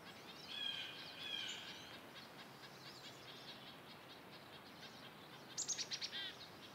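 Cassin's finch giving warbled, slurred chirps near the start, then a quick burst of five or six sharp high notes near the end, over steady outdoor hiss.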